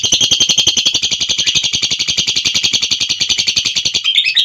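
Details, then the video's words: Lovebird in long-duration ngekek: an unbroken rapid trill of high, harsh, evenly pulsed notes lasting over four seconds. "Burung Lovebird Ngekek Durasi Panjang"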